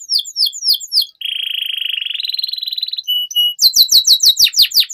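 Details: Canary singing, a training recording meant to get young canaries singing quickly: sweeping down-slurred notes, a long rattling buzzy trill, brief pure tones, then loud rapid descending sweeps.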